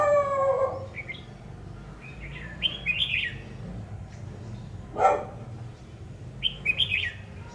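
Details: Red-whiskered bulbul acting as a decoy during trapping, singing several short, lively whistled phrases with quick up-and-down slurs, repeated in bursts across the recording; a sharp thud near the middle and faint background hum.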